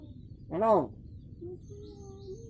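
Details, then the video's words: A talking hill myna (moyna) calls like a duck, saying "tiri": one short, loud, hoarse, harmonic note that rises and falls, followed by faint background sound. "এবার দেখুন হাসের মতন ডাকছে তিরি বলে দেখুন"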